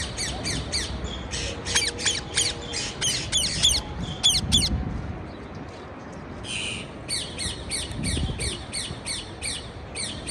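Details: Parakeet sounds: rapid harsh chirps and squawks in quick irregular runs, with a brief buzzy burst midway, over a noisy background with faint low rumbles.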